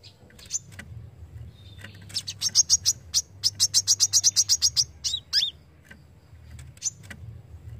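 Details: Sharp 'besetan' song of a brown-throated sunbird, recorded for tutoring songbirds: a few scattered high notes, then a dense run of rapid, piercing, evenly spaced chips, ending in a short twittering flourish, with a low steady hum underneath.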